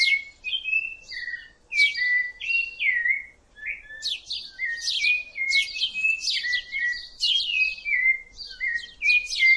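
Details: Rufous-bellied thrush in continuous song, stringing clear flute-like whistles and quick descending slurs into varied phrases, some notes repeated, with short gaps between bursts and no other clear sounds.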